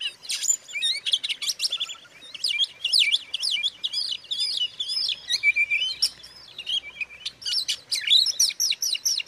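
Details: White-rumped shama (kacer) song used to provoke other shamas: dense, continuous rapid warbling of varied whistles, sharp chirps and buzzy notes, some slurred rising and falling phrases, bursts packed closely together.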